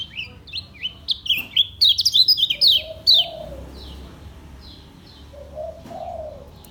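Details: Lombok white-eye in a cage, singing ngejos selow: a loud burst of sharp, high, downward-sweeping chirps, then quieter twitters, while a background dove coos twice at a low pitch.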